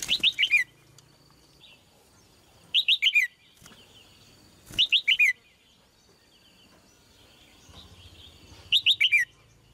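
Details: A red-whiskered bulbul, given as a female, gives four short, bright phrases of quick chirpy notes that slide downward, spaced a few seconds apart, with quiet background between.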